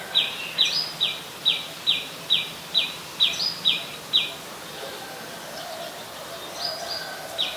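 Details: Adult common tailorbird, a common resident at Ubon Ratchathani, Thailand, on 27 January 2021, gives about ten strident, high downslurred chip notes in quick succession, then falls quiet with only a few faint notes near the end.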